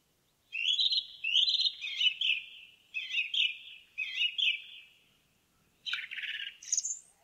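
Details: Forest song of an Indigo bunting: a run of sweet, doubled notes in pairs that step gradually lower, then a pause before a short burst of higher, buzzier notes ends the phrase.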